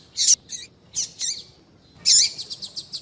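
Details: Female papa-capim (seedeater) call meant to get males singing: loud high buzzy chirps with bent downward tails, then a rapid run of evenly spaced short ticks.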